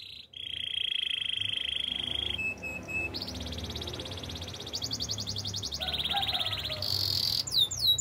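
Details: Canary singing over a low background hum: a sustained buzzy trill, a thin whistle, then rapid high rattling rolls changing pitch, ending in quick sweeping notes.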